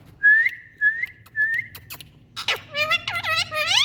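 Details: Indian parrots, tagged as ringneck parrots: three short steady whistled notes spaced about half a second apart, then a run of harsh, nasal, strongly harmonic squawks with bending pitch. Quiet room, no other sounds.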